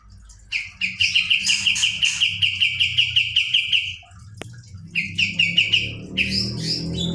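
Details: Kapas tembak bird singing a rolling song, recorded as a tutor: a long continuous rapid trill of even repeated notes, a sharp click, then two shorter trills in quick succession.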